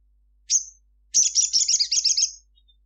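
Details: Sogon sunbird singing actively in the middle of the day: one high thin note, a pause, then a rapid, run-together series of sharp high twittering chirps lasting over a second, with a quiet background.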